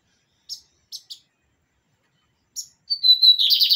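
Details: Lined seedeater (bigodinho) in pirata song: a few scattered high chirps, then a clear whistled note leading straight into a dense, loud buzzing trill.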